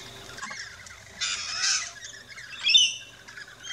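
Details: At a feeding station in an Australian backyard, rainbow lorikeets let out a long grating screech followed by a shorter shrill squawk.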